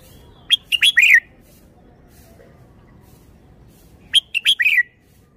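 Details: Red-whiskered bulbul with well-phrased, stylish song: a short burst of four or five rapid, rich whistled notes that slur downward, then a long pause of over three seconds before a matching phrase, with faint low rumble behind.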